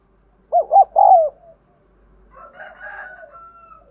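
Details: Decoy spotted dove calling energetically to lure wild doves; one loud coo of two short notes and a longer drawn-out note, followed by softer, higher murmured sounds.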